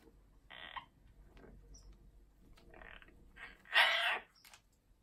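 An Amazon parrot gives four harsh, raspy squawks spread over five seconds. The last and loudest is a rough, buzzy screech, indoors with little else heard.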